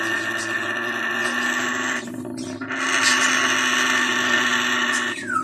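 An African grey parrot chick gives a steady, nasal, wheezy squeal with layered harmonics, briefly dropping off then resuming at full strength.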